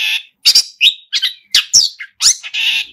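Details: A Long-tailed shrike pours out a mimicry-filled song of rough, scratchy notes and brief squeaky slurs, closing on a drawn-out harsh buzz.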